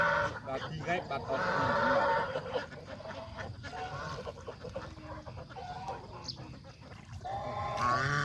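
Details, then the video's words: Geese, young and adult, grazing fresh grass beside a farm pond; a loud honking burst opens, then quieter, rapid chattering calls and thin peeps, with more honks returning at the end. "Happy Geese Enjoy Fresh Grass by the Pond"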